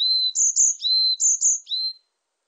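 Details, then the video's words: Varied tit singing a clear, high whistled phrase in which short notes alternate between a lower steady tone and a higher sharp note, repeated about six times in under two seconds, with a quiet background. "곤줄박이, 1번 듣기, 곤충소리, 새소리"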